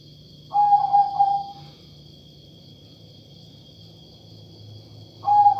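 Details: Unusual-voiced zebra dove, katuranggan majapahit type, gives a stuttering cooing phrase that trails into a long even tone, then begins another about five seconds later; steady high hum and low background rumble.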